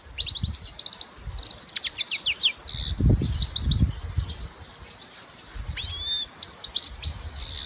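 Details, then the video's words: European goldfinch singing: rapid, tinkling runs of high twittering notes and quick downslurred chirps, a pause, then rising buzzy slides and more twitters, with low thumping noises underneath. "Щегол пение goldfinch sing carduelis sakakuşu"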